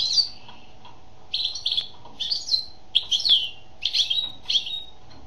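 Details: Female European goldfinch singing: short bright twittering phrases, slurred and buzzy, about half a second each, delivered in loose bursts roughly every half second to a second, over a faint steady low hum.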